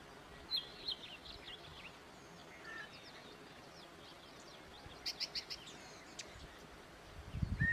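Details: A male Yellow-breasted Chat, recorded June 8, sings a quiet, disjointed string of whistles, chatters and clicks with pauses, its varied song including an imitation of a distant Common Raven croak; steady background hiss and a low rumble at the end.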